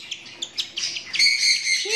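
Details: Lutino cockatiel (Nymphicus hollandicus) giving a few quick high chirps, then a longer shrill, slightly buzzy whistled call, with a lower rising tone entering at the very end.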